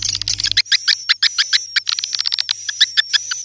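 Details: Recorded lure sound meant to draw swiftlets in. Quick clicking chirps come in short clusters about every half second, with a continuous high-pitched whistle running beneath. A brief low buzz opens the clip.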